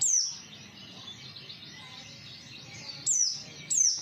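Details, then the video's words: Lure of an Oriental white-eye intended to make others respond: a high falling chip at the start, then a thin, sustained high twitter, and two more sharp descending chips near the end. "pancingan pleci 100% nyaut"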